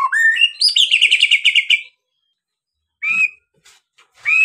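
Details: White-rumped shama song played to make other birds sing: a rising whistled run into a fast chattering trill for nearly two seconds, a pause, then brief whistled notes.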